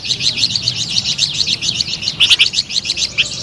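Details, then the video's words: Sweet, lively flamboyan bird song: an unbroken stream of quick, high, sharp chirps that swells into a louder, denser burst partway through. "SUARA MERDU DAN GACOR BURUNG FLAMBOYAN"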